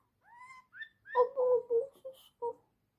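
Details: A pet bulbul bonding with its owner gives a quick run of short, rich chattering notes, opening with two rising whistles, then a burst of mellow warbled phrases in a small room.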